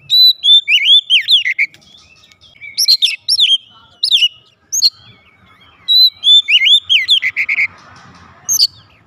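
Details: Loud answering song of a home-kept oriental magpie-robin: fast runs of whistled swoops and high chips, repeated in several bursts, with a short scratchy buzz near the end.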